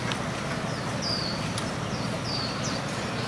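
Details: Swinhoe's white-eye among flowering Fuji cherry trees on Yanping South Road, Taipei, 12 February 2023, gives thin, high, slightly falling notes four or five times over steady city traffic rumble, with photographers present.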